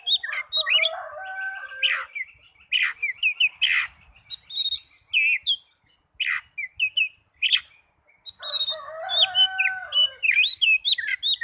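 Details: Oriental magpie-robin song for training young birds and birds that have stopped singing: dense bursts of varied whistles, sharp downward-swept notes and warbled phrases, with brief pauses between bursts.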